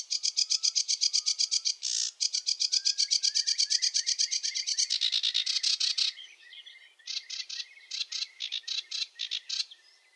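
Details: Wetland songster, the sedge warbler, delivering a long unbroken run of rapid ticking, chattering notes for about six seconds. After a brief pause come looser, irregular chattering phrases.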